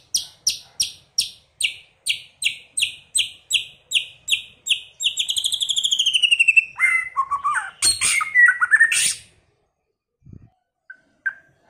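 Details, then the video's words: White-rumped shama singing in early season: a long run of crisp high ticking notes about twice a second, speeding into a rapid trill, then descending whistled slurs and a harsh burst before falling quiet. "chòe lửa hót,chòe lửa chuyền mùa đầu"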